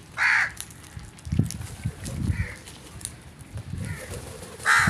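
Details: Crows calling in the morning: a loud, harsh, hoarse caw opens the recording and another closes it, with a softer call near the middle and low rumbling background noise in between.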